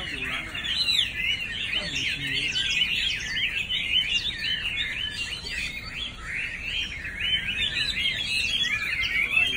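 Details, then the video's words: Chinese hwamei singing: a continuous, rich warbling stream of varied whistled and slurred phrases, rising and falling without pause, over a faint steady background hiss. "China Thrush (Rooster)"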